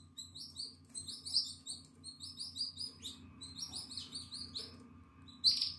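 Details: A 9-day-old canary nestling, eyes open and feathers coming in, gives thin, high squeaky chirps in fast, overlapping bursts, several per second, over a faint low indoor hum.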